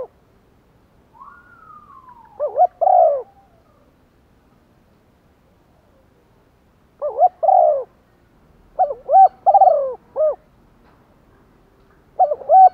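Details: Decoy spotted dove luring wild birds with urging and calling coos: a thin descending whistled note, then bursts of low doubled coos ending in longer hollow notes, with silent gaps between.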